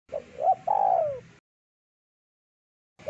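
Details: Spotted dove singing vigorously in a thick voice, a song used for luring birds: one phrase of short coos ending in a long downward coo, with the next phrase starting three seconds later.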